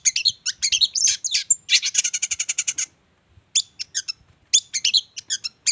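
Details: Champion-class chattering songbird delivering fast, high, scratchy phrases and a rapid even trill of repeated notes, then a brief silence before more sharp chirps and clipped whistles.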